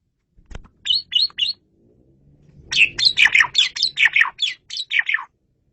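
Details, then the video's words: Loud, clear Asian pied starling song used for luring birds: three quick whistled chirps, a pause, then a rapid rollicking series of about a dozen harsh, slurred whistles. "SUARA JALAK SUREN RAJANYA"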